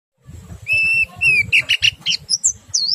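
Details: Oriental white-eye song used to stimulate other white-eyes to sing: long clear whistles with harmonics, then quick high chirps and rising whistled notes.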